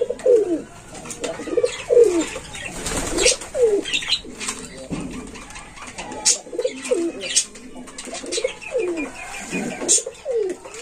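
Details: Six-day-old Indian Lotan pigeon chick on a farm calling with short, downward-sweeping cooing notes repeated roughly every second or two, separated by pauses, with occasional clicks and rustling indoors.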